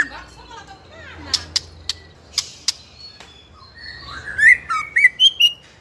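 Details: White-rumped shama in spotted juvenile plumage, fighter type, singing ngeplong-style to provoke rival young birds: sparse high ticks and soft slurs, then a loud phrase of bright rising whistles and sharp notes.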